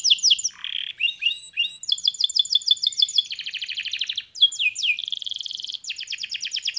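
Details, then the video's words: Canary singing a fast varied song: runs of rapid descending chirps, buzzy trills and a high rattling roll, phrases changing every second or so, clean with no other sounds. "Il più velocemente si estende, stimolando il suono delle noci"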